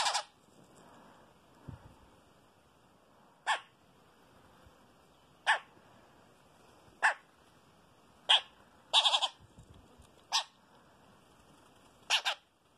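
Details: Chopi blackbird parent feeding its chick; sharp, harsh calls repeated about every one to two seconds, with a quick double burst near the middle, over a quiet background.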